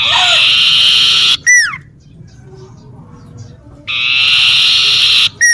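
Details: Common iora calling loudly from a garden by a home: a drawn-out gritty buzz, a sliding downward whistle, a pause, then the same buzz-and-whistle phrase again.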